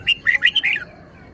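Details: Red-whiskered bulbul giving one short bright phrase of about five quick chirped notes, sharply rising and falling, over a quiet background hum.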